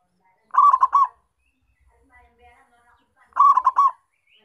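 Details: Vocal local zebra dove from Indonesia whose cooing is used to attract and trap wild birds of its kind. Two phrases of three warm, rapid cooing notes, spaced nearly three seconds apart, with near silence between.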